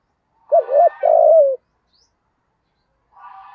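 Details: 'Thúc gù' call of a spotted dove lure bird in 'giọng thổ' voice, meant to provoke wild doves: a looping double coo and a long descending coo, then silence and a faint buzzy sound at the end.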